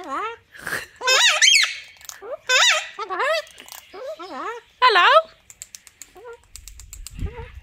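A little corella gives a run of wavering, squeaky, voice-like calls that rise and fall in short bursts, while a person says hello nearby.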